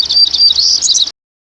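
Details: Hermit Warbler song: a very high-pitched, rapid, buzzy run of repeated notes like "cedar cedar cedar", lasting about a second and ending abruptly.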